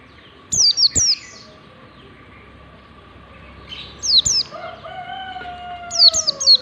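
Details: Ngalas-style warbling white-eye song used as a training lure for young white-eyes: bursts of high, thin, falling notes in pairs and triplets, with a long, gently descending lower whistle near the end and a constant faint hum.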